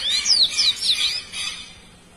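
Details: Lined Seedeater song fragment: a series of high, clear slurred whistles sweeping down and up, each about a quarter second long, fading toward the end.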